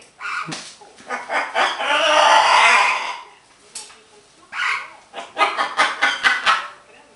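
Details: Happy pet green-winged macaw making noises, chattering and laughing a little: harsh, raspy bursts, a long loud squawk in the middle, then a quick series of short rough calls after a pause.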